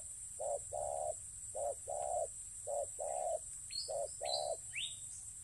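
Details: Spotted dove kept as a ground-trapping decoy coos steadily in short-then-long paired notes, four pairs evenly spaced, while another bird adds thin high falling chirps in the background.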